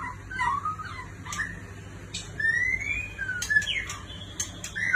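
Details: Soft song of a white-rumped shama from a neighbouring country: long pure whistles slide upward and downward, with a few sharp high clicks between them.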